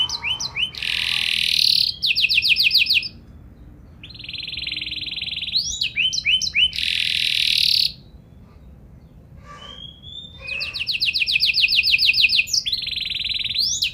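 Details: Canary alternating loud dense buzzing rolls with rapid clipped trills and quiet gaps, one soft pure whistle midway, the phrases repeating over about fourteen seconds.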